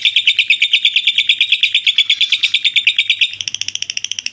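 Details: Long ngekek chattering by a lovebird, intended for teaching other birds: a steady train of shrill, buzzy pulses that turns thinner and higher, with faster, lighter beats, for the last second.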